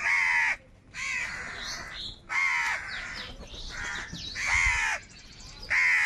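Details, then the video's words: Crows squabbling over food produce overlapping raucous caws, long rasping notes nearly back to back, with fainter higher calls from other crows between them. "Crow Birds Unity Anger and Sound | All types of Crow Sounds | কাকের ডাক Crow Sound Loudly"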